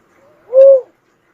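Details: One cuckoo-dove note, a faint thin introductory tone leading into a level, hollow hoot lasting under half a second, otherwise silent.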